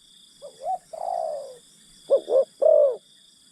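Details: Decoy spotted dove luring wild birds with a short slurred upward note and a long wavering coo, then a crisp phrase of two quick notes and a falling long coo; steady high whine in background.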